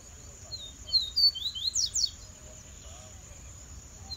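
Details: Coleiro (double-collared seedeater), a kept bird coming out of its molt rest, gives a brief, lively phrase of high, sharp chirps and quick down-slurred whistles lasting about a second, then falls quiet against a faint steady hiss.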